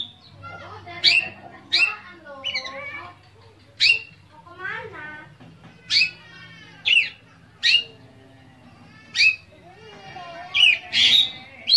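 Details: Oriental magpie-robin in full-variation gacor song, used to stir silent magpie-robins into singing: loud, sharp whistled and buzzy notes bursting about once a second, between lower warbled phrases, over a steady low hum.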